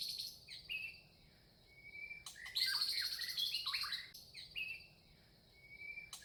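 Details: Red-vented bulbul, an Indian small bird, chirping outdoors: bursts of bright, tumbling chatter between quieter stretches, with a steady high insect-like hiss running throughout.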